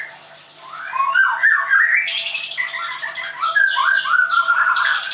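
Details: Caged white-rumped shama of the Leuser type in Tangerang, Indonesia, singing rapid rising whistles and bubbling slurred notes, overlaid by harsh broadband rasping bursts.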